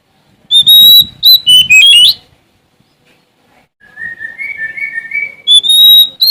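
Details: Sumatran Oriental magpie-robin singing while seeking a rival: strong whistled notes and quick slurs, then a quieter series of rising, buzzy upslurred phrases, ending with another loud whistled strophe.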